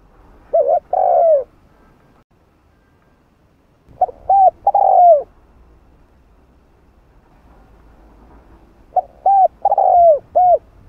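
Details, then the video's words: Repeated spotted dove coo phrases in 'hạp bổi' voice, used to rouse other doves: three deep, soft phrases about four seconds apart, each of short clipped notes, a long falling coo and a final rounded note. "Tiếng Cu Gáy Giọng Hạp Bổi 010 [ GỌI +THÚ ] Kích Bổi Nhanh Nổi"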